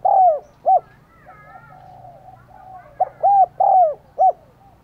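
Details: Spotted dove used as a decoy to call in wild doves, cooing in the thúc gù and gáy gọi style: loud arched coos in two bursts separated by a quieter stretch with faint distant birds.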